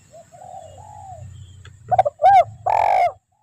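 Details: Spotted dove call used as a forest trapping lure: a soft, faint wavering coo is followed by two short hooted notes and one long, louder, rough coo, over a low rumbling background.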